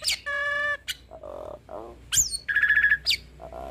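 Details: Hybrid starling singing a mimicry-filled song for tutoring Asian pied starlings and other songbirds: a steady nasal drawn-out tone, low buzzy notes, a sharp high upslur, then a fast pulsing trill and mellow low calls.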